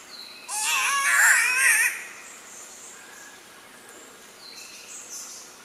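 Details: Green catbird in Bunya Mountains National Park, Queensland, Australia, 29 December 2014 at 13:30: one loud, wavering, nasal wail over a second long, like a crying baby or yowling cat, then faint distant bird calls.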